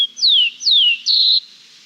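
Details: Rufous-collared Sparrow (chincol) song from Chile: two clear, high whistles slurring downward, then a steadier, slightly buzzy high note, all within two seconds, with nothing else heard.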